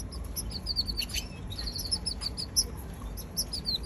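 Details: Baby canary twittering steadily: rapid high-pitched chirps repeated in a lively, uneven stream throughout, above faint low rumble.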